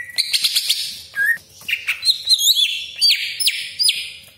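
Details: Greater green leafbird, kept as a lure bird to provoke other leafbirds at home or in contests, singing a fast varied song of sharp whistled notes, sweeping slurs and harsh rattles, many notes dropping steeply from high to middle pitch.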